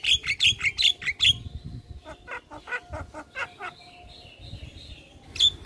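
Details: Javan myna (jalak kebo) in energetic 'gacor' song: a quick run of sharp squeaky notes, then a stuttering series of clicks under a thin, wavering whistle, closing with another squeak.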